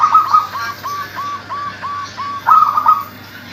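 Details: Zebra dove of a local strain, calling actively as a lure for doves that are slow to call. It utters a rhythmic series of soft arched coos about three per second, ending in a louder rolling phrase, with a constant background hum.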